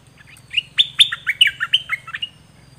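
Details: Dok taeng bird singing on a 2020 recording intended to train young birds: a rapid chattering phrase of about a dozen clipped chirps and slurred whistles over a faint low hum.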